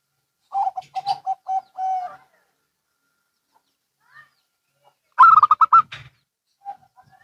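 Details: Zebra doves, local and Bangkok types, calling back and forth: one bird gives a run of short clipped coos, then after a silence a second answers with a louder, higher rapid series.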